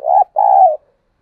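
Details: Spotted dove used as a decoy, calling to provoke a response: a single loud two-part coo, a short throaty note then a longer, steady mellow coo fading at the end.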